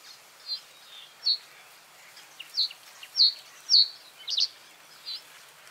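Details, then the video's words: Common reed bunting singing: a series of short, high chirping notes repeated roughly every half second, some doubled, over a soft background hiss. "Common reed bunting | Emberiza schoeniclus"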